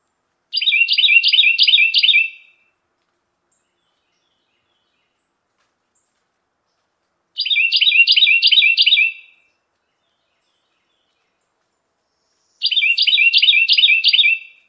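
Carolina wren song: loud, ringing bursts of about six quick repeated phrases, each burst lasting two seconds and returning every five to six seconds, with silence between.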